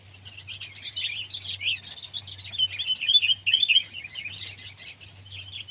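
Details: Sooty-headed bulbul, from a comparison of kept and wild birds, chattering almost without pause for six seconds in dense, bubbly, fast-varying phrases of bright notes, with a faint low hum behind.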